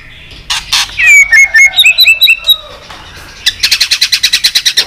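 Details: White-rumped shama in a fighting song, stirred up to sing in competition: a burst of clear whistled notes near mid pitch gliding up and down, then a fast run of about fourteen sharp repeated chips.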